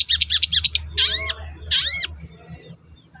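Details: Long-tailed shrike singing as bait for other shrikes to respond: a few quick harsh notes followed by two drawn-out arching whistled phrases, with a soft low hum behind.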